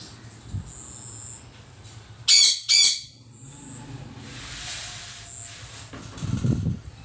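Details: A pair of quick, harsh squawks from a green pet parrot, close together, followed by soft rustling and a low thump near the end.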